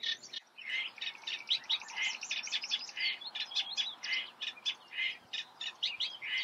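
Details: Eifel reed warbler singing steadily: a grating, rhythmic chatter mixing harsh churrs with sharper clicking notes, phrases repeated two or three times in a continuous flow.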